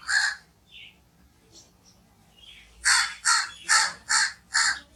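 A crow gives a harsh caw, then a few softer notes, followed by a run of five loud, hoarse caws about half a second apart.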